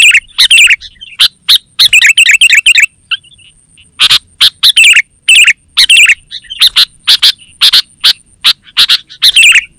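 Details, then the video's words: Sooty-headed bulbul (kutilang) chattering busily, a recording meant for calling wild birds and tutoring pet songbirds. A rapid cluster of bubbly chirps opens, then spaced sharp notes and short phrases follow. A faint continuous high whine sits underneath. "Suara Burung KUTILANG GACOR Terbaik Untuk Panggilan dan Masteran"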